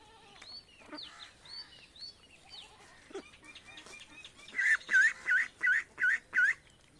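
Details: Ducks and ducklings from an Indian village on their way to the pond; assorted bird whistles and chirps first, then six loud, evenly spaced rasping quacks close to the microphone.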